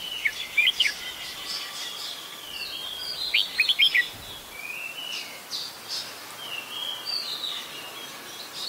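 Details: Red-whiskered Bulbul, an adult, in Ubon Ratchathani, Thailand, on 16 December 2020, gives loud clipped chirps in quick bursts of three to four notes near the start and middle, set against continuous twittering from many birds.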